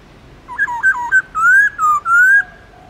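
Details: A black-throated laughingthrush in long forest-style song, used to prompt wild-caught birds: a quick wavering, yodel-like run of notes flowing into three long, smooth, level whistles.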